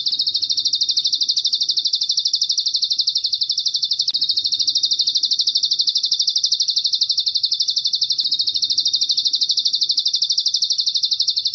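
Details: High, even buzzing trill from a bar-winged prinia, pulses ticking about three times a second without a break; training audio with cililin fill meant for teaching cage birds.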